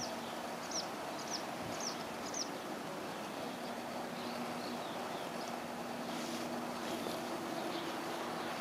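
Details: Bathing Northern Lapwings at Choryně pond give four quick, high, slurred calls about a second apart, then fainter ones, over steady engine-like rumble and hum.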